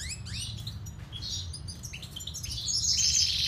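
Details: Siberian goldfinch singing: high twittering and rising chirps, with a buzzy trill building toward the end over a low background hum.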